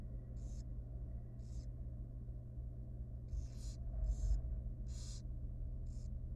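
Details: A super tiny wild barn owl chick in a nest box at feeding time makes short, scratchy hissing bursts in quick uneven clusters. A steady low hum runs throughout, and a brief thump is heard midway.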